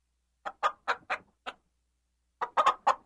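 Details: Hens clucking: five short, evenly spaced clucks, a second of quiet, then three quicker, louder clucks.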